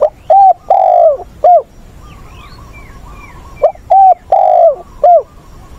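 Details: Decoy spotted dove with a giọng bổi ức chế voice, used for training wild-caught doves, recorded 20/8: two phrases of low cooing, short notes around a long falling coo, with faint thin chirps between them.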